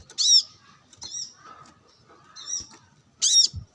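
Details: Sunbathing brown-throated sunbird calling rivals: loud high squeaky chips opening and closing the passage, with softer repeated twittering notes between them.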